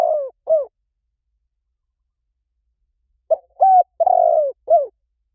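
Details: Spotted dove cooing for luring birds: two falling coos ending one phrase, then after a pause a full phrase of short coo, clear coo, long burry coo and descending final coo.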